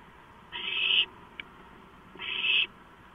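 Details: Two drawn-out hissing screeches, about half a second each and a second and a half apart, from owlets seizing a large delivered rodent on 23 March 2015, with a brief tap between them.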